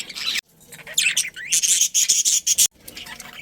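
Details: Breeding budgerigars in a colony: bursts of bright, squeaky chirps and warbled notes in quick series, broken by two brief silent gaps.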